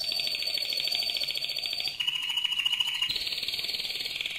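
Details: Mosaic canary delivering what is billed as its loudest song: a fast buzzy trill held high for two seconds, dropping abruptly to a lower rolling tour, then jumping back up to a bright rapid roll.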